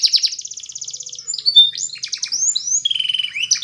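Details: Training song of a canary, Spanish Timbrado style, opening with a rapid pulsed trill, then high downslurred whistles and a run of quick repeated chips.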